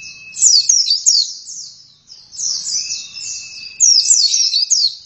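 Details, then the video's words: Oriental white-eye (pleci) singing in bursts of rapid, high, sweet twittering notes with sharp downward slurs, a short pause near the middle, and a faint steady tone beneath. "Pleci langsung gacor dalam 1 menit"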